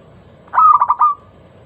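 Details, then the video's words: Local zebra dove lure song, one clear phrase: a brief rising onset, four rapid bubbling coos and a smooth held note fading out, against a quiet background. "Masteran pancingan burung perkutut lokal suara Lantang kristal"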